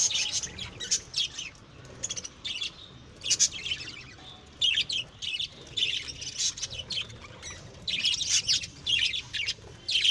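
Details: Lovebirds bred as pets in a home, calling in rapid shrill chirps and squeaky chatter, bursts repeating every second or so throughout.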